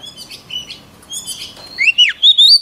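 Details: White-rumped shama singing in a voice-training recording: soft twittering leads into clear, louder whistles, one dipping and rising steeply, then a high rising whistled phrase.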